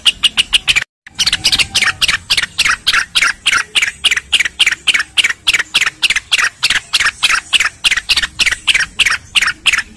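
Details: Cucak rengganis song used as a tutoring recording for songbirds, set over a flowing-water background, with rapid, bright, high chirps about three a second in a steady, chattering run and one brief break near the start.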